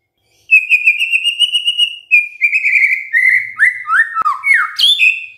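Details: White-rumped shama in full, vigorous song: a long sustained whistle that wavers slightly, then a string of lower whistled notes stepping downward, ending in sharp rising phrases.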